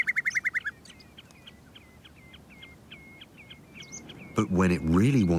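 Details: Common snipe, a wader, calling in summer on a breeding ground on open volcanic glacial plains with short tussocky grass: a quick burst of clipped notes, then steady short level chipping calls about four per second; a man speaks at the end.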